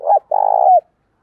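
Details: A single 'thúc' coo from a decoy spotted dove luring wild doves to answer: a short opening note, a pause, then a long, buzzy, pulsing low coo that slides down at its close.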